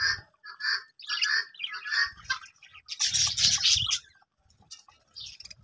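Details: Budgies in a breeding colony, short paired chirps repeated about once a second, then a louder burst of harsh chatter that fades to quiet.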